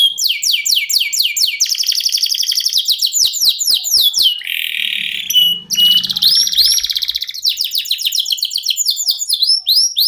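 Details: Canary kept as a song master for contest birds, singing a long continuous song: rapid descending whistled notes in fast series, a buzzy rattling trill mid-phrase, then rising whistles and more quick repeated syllables.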